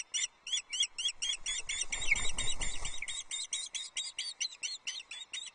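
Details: Female osprey on a nest at Loch Arkaig, 27 April 2024, screaming for fish as the male arrives with the first fish. Rapid, piercing high whistled squeals repeat about four times a second, with a brief low rumbling burst midway.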